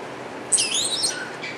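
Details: Wattled starling at Avifauna in Alphen aan de Rijn, Holland, giving a single high, squeaky, wavering whistled phrase with slurred buzzy overtones, followed by a soft lower note.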